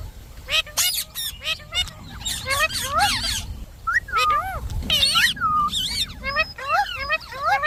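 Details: A talking pet Indian ringneck parakeet chatters in uneven phrases of speech-like syllables, with sliding whistled notes and raspy squawks mixed in, over a low steady background hum.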